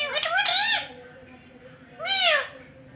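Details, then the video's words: Indian green ringneck parrot family talking in a mirror; two separate arched, nasal speech-like phrases about a second and a half apart, bright and harmonic, over a quiet indoor background. "Talking Ringnecks Family Together // Parrots Talking In Mirror"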